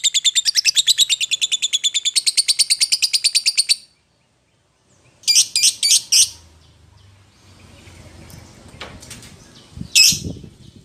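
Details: Lovebird calling its companion: a fast train of high, buzzy chirps for nearly four seconds, a pause, then a few louder shrill bursts, with faint low rumbling and a final sharp squawk.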